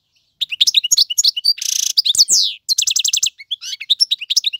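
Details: Adult male European goldfinch, song played to teach fledglings, delivering a fast continuous twitter of sharp chirps, a harsh buzzy rasp midway, slurred whistles and a run of repeated metallic notes, with no background noise.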